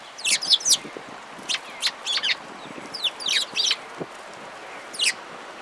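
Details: Several sparrows at a waterside bridge on 11 March 2022 call with bright, downward-sweeping chirps, often doubled or tripled, in irregular groups spread through the recording against a faint outdoor hiss.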